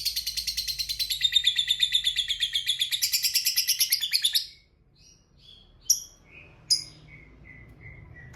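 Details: Lovebird fighter giving a long ngekek, a lure sound played so silent lovebirds answer: a fast, steady, rattling trill of rapid pulses for about four seconds, then scattered sharp chirps and thin high notes.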